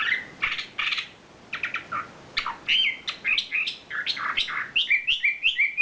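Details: Isian filler song from a champion wambi bird, a varied stream of chirps, buzzy bursts and short slurred whistles, shifting pitch quickly with a brief pause near the start.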